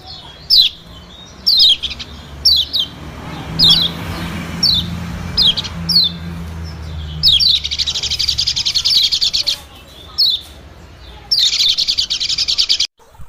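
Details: Lure sound of a white-eye for drawing in small birds, mainly white-eyes: sharp high chirps at irregular intervals, then two long buzzy, rapidly pulsed chatters.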